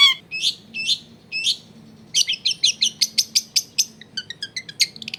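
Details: Long-tailed shrike singing as a lure to prompt other shrikes to answer, recorded in a densely populated neighbourhood: three slurred chirps, then a fast burst of sharp clicking notes and thin high twitters, with a low background hum.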